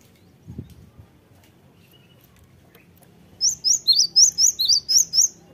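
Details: Lure recording of a Cinereous Tit to make other birds answer. After a faint low thump and near silence, a single run of eight evenly spaced, high, clear upslurred notes arrives late in the clip.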